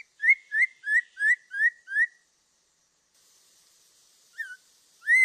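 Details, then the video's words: Six quick upward-flicked whistles in a steady row from a Black-throated laughingthrush, then a soft hiss, a lone downslurred note and a final rising whistle. "Suara Burung Poksay Mandarin"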